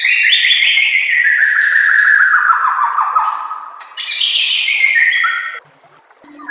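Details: White-rumped shama master song used to train birds, with nature sounds and water: a loud, rich whistle gliding down over three seconds, then a brighter descending phrase before quiet.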